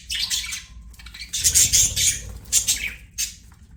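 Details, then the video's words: Budgie chirping in short scratchy bursts of high buzzy warble and squeaks, separated by brief gaps, with a soft low rumble in the background. "BUDGIE CHIRPING SOUNDS"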